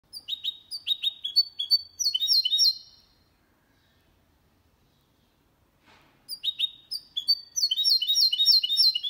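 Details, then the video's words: Goldfinch × canary hybrid singing a clean song without errors, used to stimulate males to sing and teach young birds: rapid high twittering phrases and trills, a three-second pause, then a fast run of repeated sweeping chirps. "Mixto de Jilguero Cantando Limpio"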